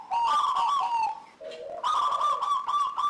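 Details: A local zebra dove sings persistently, used as a lure to get other doves singing: quick, bubbling cooing notes in a rolling, trilled series, broken by one brief lower coo, then resuming.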